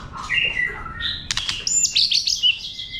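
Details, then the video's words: Wild-style song of a White-rumped shama, played to excite birds: a short run of warbled whistles climbing from low to high notes, with a brief burst of dry clicks midway. "chòe lửa hót giọng rừng kích bổi, kéo rê kích bổi căng lửa. chim chòe lửa hót hay"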